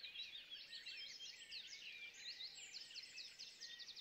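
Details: Jungle babbler youngsters on their first flights in a home backyard in Gurgaon during lockdown; continuous, busy, high squeaky chattering from several birds overlapping throughout.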